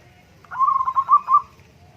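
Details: Zebra dove cooing phrase, a recording meant to coax a moody, lazy bird into singing: one loud, rolling, stuttered coo of about a second, four quick pulses at a steady mid pitch, over faint low background hum.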